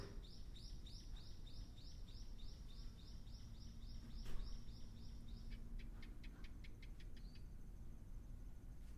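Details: Ryukyu ruddy kingfisher back on Ishigaki Island, Okinawa, for spring: a fast string of about sixteen bright, arched whistled notes, then a few short ticking notes and one brief whistle, over constant low hum.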